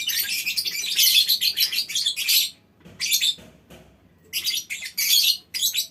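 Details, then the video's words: Lovebird colony in a small aviary, calling in ngekek chatter: a dense, shrill burst lasting over two seconds, then shorter scattered bursts of scratchy squeaks with gaps between them. "Suara Lovebird Koloni Bikin Burung Lain Ikut Ngekek Panjang"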